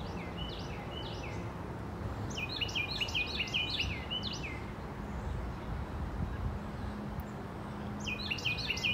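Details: Morning bird chirping: clusters of rapid high, sharp twittering notes in two bursts separated by a quiet gap, over constant low background rumble and faint traffic-like noise.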